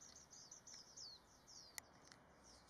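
A Japanese white-eye gives a quick run of thin, very high, down-slurred squeaky notes, several per second, over a soft background hiss.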